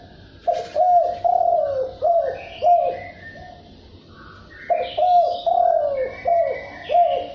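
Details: Spotted dove in a Vietnamese field, calling in the 'thúc bổi' cooing style. Two bursts of four to five soft, hollow, slightly falling coos are split by a two-second gap. Faint higher chirps from other birds sound in the background.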